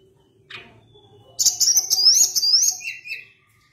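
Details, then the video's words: A Sunda blue robin (mountain tledekan) sings a rich, rapid phrase of high whistles and rising slurred notes, introduced by a short buzzy note, with a faint low background hum. "Ocehan Tledekan Gunung gacor"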